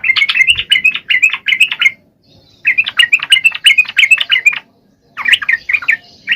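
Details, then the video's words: Lively song of a yellow-vented bulbul, played to lure lazy males into singing: rolling, liquid warbles delivered in three fast phrases with brief pauses between. "SUARA KICAU TRUCUK GACOR AMPUH BUAT PANCINGAN TRUCUK MALES"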